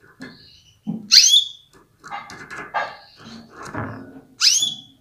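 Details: A female canary gives a call meant to rouse males into breeding readiness and strong singing: two bright, high chirps about three seconds apart, each sweeping through a thin whistled tone, with softer murmuring and rustling between.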